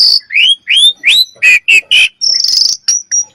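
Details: Common myna calling: a quick series of clear upslurred whistles, then lower throaty notes and a buzzy, rasping high note, about three notes per second, loud and close.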